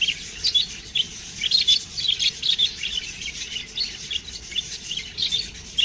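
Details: Young budgerigars chirping in rapid clusters of bright, squeaky notes, the bursts pulsing roughly every half second over a rasping background chatter.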